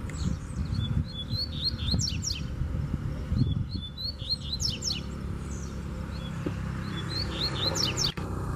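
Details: Wild free-flying Double-collared seedeater pressing hard against a caged rival, giving three rapid high phrases of chipped, sweeping notes with steep upward strokes, spaced a few seconds apart, over low-pitched rumbling background noise.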